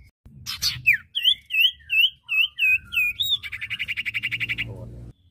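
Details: Male and female common iora in full song: a burst of high notes, then a series of clear whistled upslurred notes repeated about every third of a second, ending in a fast, even buzzing trill.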